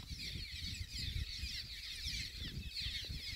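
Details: Cliff swallows at a busy breeding colony on the UC Merced Vernal Pool and Grasslands Reserve, 16 April 2021. A dense, continuous chatter of high squeaky, slurred notes overlaps throughout, over a rough low rumble of wind.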